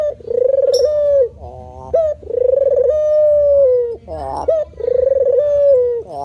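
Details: Spotted dove male in manggung cooing: three drawn-out, level, soft coos, each opening with a quick trill and ending in a brief rough, nasal note. The pattern repeats regularly over a low background hum.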